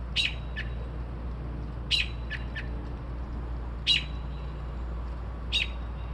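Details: Bird calling at 2:30-3:00am, described as copying car alarms, sparrows and other sounds; four sharp, high chip notes, each with one or two fainter ticks after, spaced roughly two seconds apart over steady low hum.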